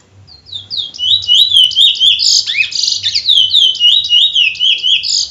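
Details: Trinidad bullfinch (chestnut-bellied seed-finch) in sustained song: rapid, rolling chains of sweet whistled slurs, about four notes a second, with a short harsher downslurred note near the middle and steady delivery throughout.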